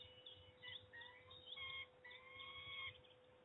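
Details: Peregrine falcon at Trzebież, recorded 22 May 2019 at 06:40 in the morning: a series of drawn-out, slightly rising wailing calls, each with clear overtones, some short and some held nearly a second, over a steady low hum.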